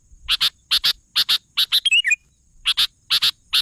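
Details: Sooty-headed bulbul giving paired harsh chip notes about twice a second, with one quick, twisting warbled phrase in the middle, background quiet apart from a faint high hum.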